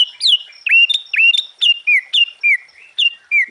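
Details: Sooty-headed bulbul singing busily with a full varied repertoire, meant to provoke rival bulbuls: a rapid string of bright, liquid whistled notes, some rising and some dropping, in quick uneven bursts.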